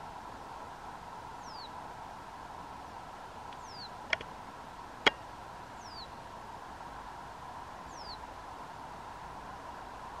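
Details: Reed bunting at Store Mosse National Park in southern Sweden, July 2023, giving thin, high, downward-slurred notes about every two seconds over a steady low hum, with two sharp clicks midway.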